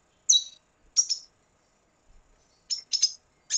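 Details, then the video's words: Venezuelan red siskin song given in sparse fragments: a sharp high chirp, a doubled twitter, then a run of quick high notes after a pause; otherwise silent. "Canto Cardenalito Venezuela"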